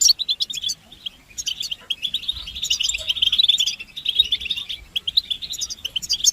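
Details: European goldfinches in a collective twittering bout of mating and readiness calls, used to rouse males into song. Dense, high, buzzy chatter runs almost continuously, with a short lull near the one-second mark.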